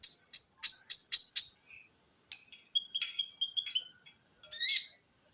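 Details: Olive-backed sunbird singing for cage-bird training: five loud, sharp, downslurred high notes in quick series, then after a pause a fast run of thin, piercing notes, ending in a single harsh buzzy note.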